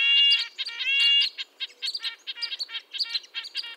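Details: High-pitched nasal toots from a red-breasted nuthatch, likened to a tin trumpet: two longer drawn notes, then a quick stuttering run of short, clipped nasal notes.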